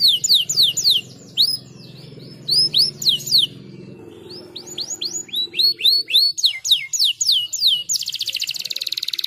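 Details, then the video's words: Caged canary singing, played to stimulate other canaries to sing: fast runs of bright, upslurred whistled notes, several each second, in bursts with short pauses, ending in a rapid buzzy trill over a faint low hum. "superar o chilrear canário preso"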